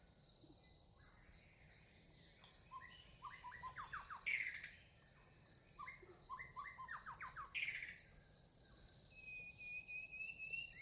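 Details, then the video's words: Red-vented bulbul, a small Indian bird, giving soft clusters of quick chirping notes in two bursts, over a constant high insect drone, with a brief thin whistle near the end. "Red-vented bulbul- Birds Chirping"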